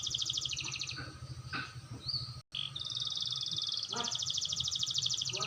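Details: Canary learning to roll: high rapid trills broken by a few sharp notes and a short gap, then a sustained fast rolling trill to the end. Faint low hum in the background.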